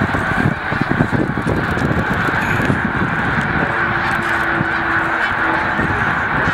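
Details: Migrating snow geese at Middle Creek, Pennsylvania: a dense, continuous chorus of overlapping nasal honks from a large flock, with heavy low rumble of wind or handling noise underneath throughout.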